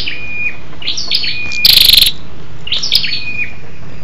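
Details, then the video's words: Female scarlet-backed flowerpecker, a lure call used to excite males: thin, high ticking notes and short sweeping whistles with a brief harsh buzzy burst midway, over a low background rumble. "SÂU ĐẦU ĐỎ MÁI RO KÍCH TRỐNG"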